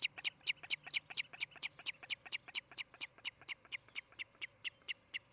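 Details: Osprey at the nest in Charlo, Montana, recorded by a nest camera on the late morning of 23 July 2018; fast, insistent high chirping that starts loud and slowly fades.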